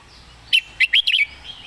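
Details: A single crisp phrase from a red-whiskered bulbul used as a song tutor, noted for clear phrasing: four quick, bright, slurred whistled notes over faint background birdsong.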